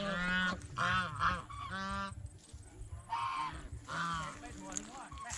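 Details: Geese eating bread and fresh vegetables at a fish pond give separate nasal honks, about one every second, with quieter pauses between and faint background noise.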